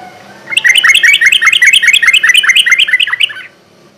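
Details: Sooty-headed bulbul delivering fast ropel-style song for luring and rousing caged birds: about three seconds of quickly repeated, evenly spaced chirping notes that dip and rise, in a quiet background.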